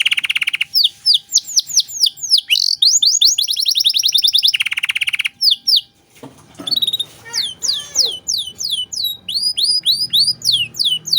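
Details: Domestic canary in lively full song with ornate 'cengkok mewah' phrasing, used as a tutor for young songbirds: rapid high rolling trills and strings of sweeping whistled notes, broken by a brief scratchy passage midway.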